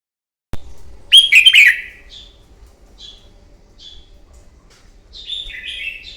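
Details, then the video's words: Red-whiskered bulbul, a wild-caught bird, singing a morning fighting song used to train and provoke a bird: one loud burst of rich, warbling whistled notes, then short faint chirps and another warbled phrase near the end. "Kích chào mào bổi hót đấu, luyện giọng chào mào hót đấu buổi sáng kích chim hót đấu căng lửa"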